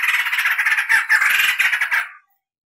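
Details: White-crested laughingthrush (poksay jambul) in full song on a tutor recording, delivering a dense, harsh rattling roll near two kilohertz with rapid pulsed chatter for about two seconds before it stops abruptly.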